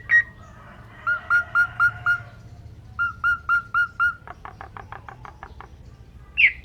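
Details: Asian pied starling from Indonesia in gacor song with isian fill: a high note, then two sets of five soft, evenly spaced mid-pitched whistles, a fast ticking rattle and a final squeak.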